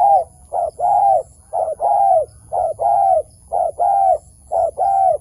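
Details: Wild dove lured to a trap, repeating a steady two-part coo, a brief clipped note then a longer bowed one, about once a second, loud and clear.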